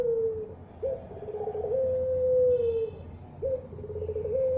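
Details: Repeated coos of a ringed turtle dove kept by Indonesian hobbyists: a brief rising lead-in, a wavering middle and a long, even, gently falling tone, about three coos against continuous low-pitched background noise.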